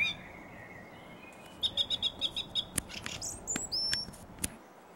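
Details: A song thrush singing in a garden in April 2021, heard from 6 am to 9 pm, gives a sliding whistle, a rapid run of about seven identical bright notes, then varied high whistles and sharp clicks.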